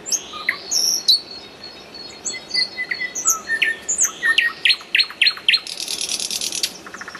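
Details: Common nightingale singing a busy phrase of high thin whistles, sharp chipping notes in a quick series and a closing rapid buzzy trill.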